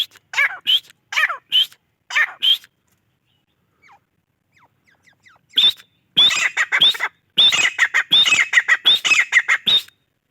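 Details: Grey francolin giving loud, harsh calls with high rising whistles, four spaced notes at first, then a silent gap and a rapid, crowded run of rasping squawks that stops abruptly near the end.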